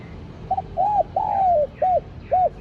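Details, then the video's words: Spotted dove calling to lure wild doves, in an attractive voice meant to stir caged doves into cooing: one phrase of five mellow arched coos, the third drawn out and sliding down, the rest short and evenly spaced. "TIẾNG CHIM CU GÁY Giọng Hấp Dẫn ( GỌI BỔI + THÚC )"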